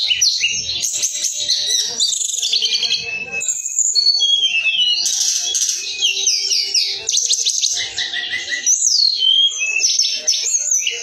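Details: A captive hill blue flycatcher kept for song contests sings an unbroken, rich stream of sweet high whistles, trills and rapid slurred phrases, with a few faint chirps underneath.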